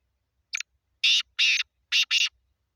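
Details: Black francolin (kala teeter) in Sindh, Pakistan, giving a harsh call: one brief grating note, then two pairs of loud, rasping, buzzy notes, each lasting about a fifth of a second, over a quiet background.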